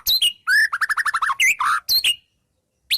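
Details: White-rumped shama song full of wild-bird fillers: loud clear whistles, a quick run of rapid falling notes, sliding upswept phrases, then a pause before one last rising whistle.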